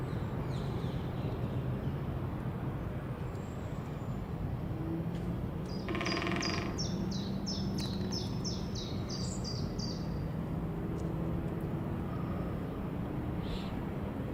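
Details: Great spotted woodpecker in Leiderdorp, the Netherlands: a run of about a dozen sharp, high, clipped notes in quick succession midway through, over steady low rumbling background noise.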